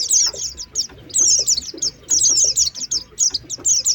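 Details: Lure sound for trapping Oriental white-eyes, 2023, meant to bring birds straight down: bursts of shrill, rapid chirping notes in clusters about every second, separated by short quieter gaps.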